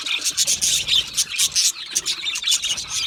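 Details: Happy, comfortable budgies chattering in a colony: rapid bursts of bright, high chirps and short whistles packed closely together, rising and falling in loud pulses about every quarter second.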